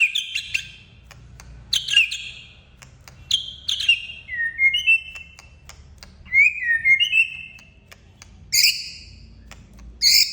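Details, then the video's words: Male white-rumped shama singing in the lively 'ngetrek' style said to provoke rivals: clear whistled and buzzy notes, rising and falling slurs, delivered in short bursts every second or two over a faint low hum. "Murai gacor ngetrek bikin lawan emosi"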